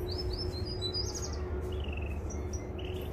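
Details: Mosaic canary singing, a recording meant to train young birds: quick high chirped phrases and a short falling trill, set against constant low-pitched background hum.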